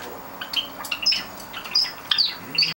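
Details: Seven pet Java sparrows let out of their cage at 6 a.m. in June 2009, lively and active. They give bright, high chirps and sharp clipped notes in quick irregular bursts, with faint wing flutters between calls.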